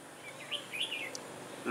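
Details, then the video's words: Red-whiskered bulbul singing a fighting song at a trap with a caged decoy bird, recorded on 21 October 2017; short warbled, rising and falling whistled phrases, fairly clear against faint background hiss. "Bẫy chào mào cui lân - yếm đậm chơi cực sung"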